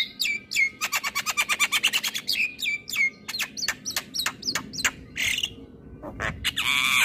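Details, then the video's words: Javan myna song used as a lure to get caged mynas that have stopped singing, are stressed, moulting or mute to sing again: rapid run of sharp chirps, then clear whistled notes and harsh buzzy bursts. "Pancingan Jalak MAcet Bunyi / Jalak Stres / Jalak Mabung / Jalak Bisu"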